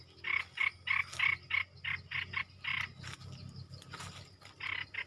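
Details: A caged Red-whiskered Bulbul singing with wild birds gives a quick run of bright, bubbly chirped notes, about three a second, with short breaks between phrases.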